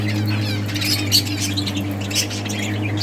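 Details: Budgies from a breeding colony, playing, give a brief flurry of high, scratchy chirps and squeaky twitters over a continuous low hum.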